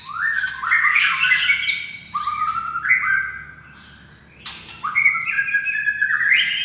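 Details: Murai batu, the white-rumped shama from Medan, in lively song used as a lure for other birds: a run of rising, upward-bending whistled notes, then a pause and another ascending, stepped whistled phrase, all over a low hum.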